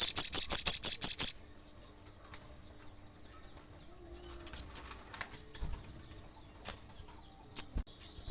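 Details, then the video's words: Olive-backed sunbird (sogon) singing to stir up and anger rival males: a rapid burst of piercing high notes lasting just over a second, then faint high twittering and a few isolated sharp chirps. "SOGON GACOR MEMANCING EMOSI SOGON LAIN"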